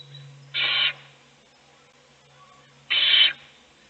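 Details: Two harsh screechy hisses about two and a half seconds apart, recorded in an owl nest box as a chick is fed and the other young sleep; a steady low hum runs underneath.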